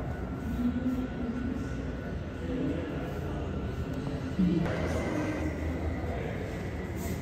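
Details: Low rumbling background noise and faint distant voices, with a sudden bump midway; no animal sounds.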